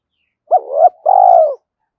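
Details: Single spotted dove phrase of the gáy thúc or gáy gọi type, played to excite decoy birds: a short wavering double coo running straight into one long, slightly falling hoarse coo, with no other sounds.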